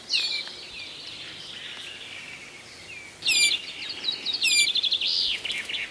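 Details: Azores bullfinch, also known as priolo, calling: a long thin whistled note near the start, then bursts of sharp repeated chirps and buzzy trills with faint background noise.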